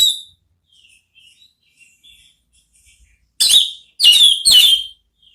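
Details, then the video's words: Orange-headed thrush ngeplong therapy song, a lure to prompt a thrush to answer: soft scattered whistles, then three loud downward-sweeping phrases about half a second apart. "belajar NGEPLONG cocok untuk MEMANCING ANIS MERAH supaya ikut NYAUT ¦ KICAUAN TERAPI"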